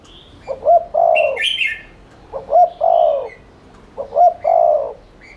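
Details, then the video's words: Spotted dove giving repeated lure coos meant to stimulate cooing: three evenly spaced low phrases of quick doubled notes and a drawn-out throaty coo, with a brief twittering of another bird early on. "Cu gáy THÚC Liên Thanh kích bổi,mồi ức chế nhanh gáy/kích bổi nhanh nổi"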